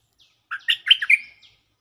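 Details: Energetic lure song of a stripe-throated bulbul: a compact burst of five warbled, chuckling notes in under a second, the final note fading into a short level whistle, with no other sounds.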